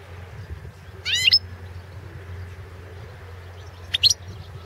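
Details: European goldfinch of the Balkan subspecies Carduelis carduelis balcanica, recorded in 2016 for an internet world singing championship run under Serbian association rules: two short bright twittering bursts of rapid trilled notes, separated by quiet with a low steady hum beneath.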